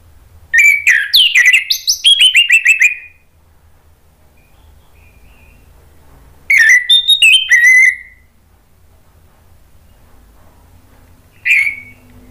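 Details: Orange-headed thrush, a lure recording meant to make other thrushes sing back: two bursts of loud, varied whistled phrases with rapid sliding notes, separated by a pause, then one short whistle near the end.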